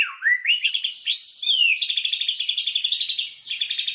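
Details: Lure song of a white-rumped shama, meant to rouse rival shamas to sing fully; rising whistled slurs lead into a fast, even buzzy trill of repeated notes lasting over two seconds.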